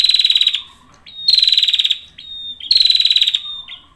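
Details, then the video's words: A male prinia sings vigorously. It gives three loud bursts of fast, pulsed, buzzy high notes, each lasting about half a second to a second and separated by thin level whistles and faint lower notes. "Prenjak atas jantan gacor"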